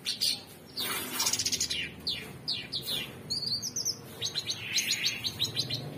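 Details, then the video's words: Cucak cungkok (orange-bellied leafbird) in vigorous song: rapid buzzy chatter, downslurred chips, a high trilled flourish and a closing run of quick bright notes. "Cucak Cungkok Super gacor"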